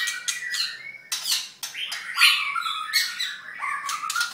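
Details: Molting white-rumped shama, about halfway through molt, singing in a small room; loud, varied phrases mixing clear slurred whistles with rough, noisy squawks and short gaps of silence.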